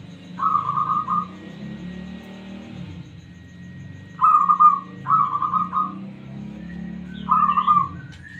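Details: Local zebra dove (perkutut) singing smoothly, a responsive bird used as a lure for other doves: four trilled, beaded cooing phrases, each about a second long, with pauses between, over a steady low hum.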